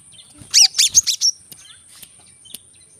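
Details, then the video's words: Brown-throated sunbird, korlap gacor style used to get other birds singing: one short burst of about five loud, high, sharply slurred chirps lasting under a second, followed by a few faint ticks. "Kolibri kelapa | manggar | suara untuk burung malas bunyi | suara korlap gacor tembakan rapat"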